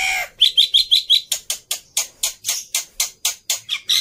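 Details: Black-winged myna in full, prolific song, used as a lure to prompt other birds to sing: a few short whistled notes, then a steady run of harsh, buzzy chattering bursts repeated about three times a second.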